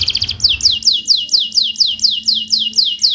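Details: Canary song used to coax canaries that have stopped singing back into song: a rapid series of bright, descending whistled notes repeated about twice per second, opening with a short trill, loud and clear against a quiet background.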